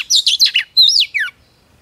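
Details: Female Oriental magpie-robin calling to stimulate males: four fast scratchy chirps, then one longer wavering whistle that slides downward to end the phrase.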